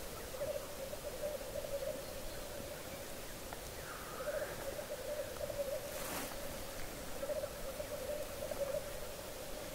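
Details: Male black grouse lekking on a bog in Hedmark, Norway, around 3:30 am: a steady low bubbling, cooing chorus rolls on in pulsing bursts, with a brief rising hiss near four seconds and a sharp click partway through.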